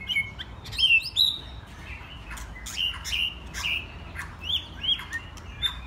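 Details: Young white-rumped shamas, mostly first molt, having fun together: sharp clicks mixed with clear whistled notes, in irregular bursts throughout.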